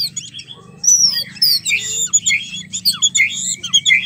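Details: White-rumped shama, a sound meant to trigger a quiet or stressed male into singing; dense high chattering twitters and rapid squeaky notes over low hum.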